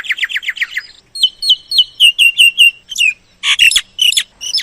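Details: Lure call of a myna for trapping: a fast run of buzzy notes, then a string of sliding whistled chirps repeated several times, ending in harsh squawky bursts.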